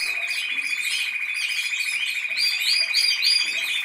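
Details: Canary (Serinus canaria), song.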